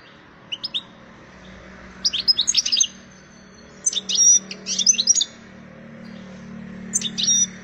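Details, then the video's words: Wild European goldfinch singing while seeking a mate: short bursts of high twittering notes separated by pauses, over a steady low hum. "حسون خلوي مرعب طالب التزاوج الأن غناء"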